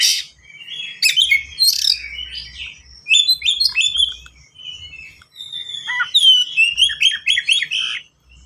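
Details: Varied, fast song of a caged white-rumped shama (kacer), used as a master song to train young birds: rich whistles, slurred descending notes, harsh bursts and quick trills with only short pauses between phrases.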